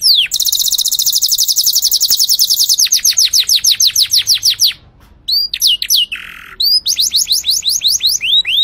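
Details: A canary's song opens with a rapid high trill, then slows into descending whistled slurs, pauses briefly, and resumes with a short nasal buzz and more falling notes.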